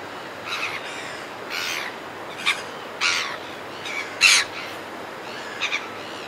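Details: Red-billed gulls calling close by in flight over a cliff top: a series of harsh, squawking cries, some drawn out and others clipped, about seven calls in six seconds over a steady breezy hiss.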